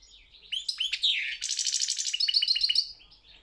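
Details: A European goldfinch sings for a competition, a short phrase of liquid twitters leading into a fast buzzy rattle and then evenly repeated bright chirps.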